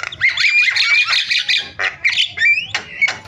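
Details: Jalak lure call: scratchy, squawking notes overlaid with short thin whistles, some rising, in a fast jumbled sequence meant to provoke other starlings into calling.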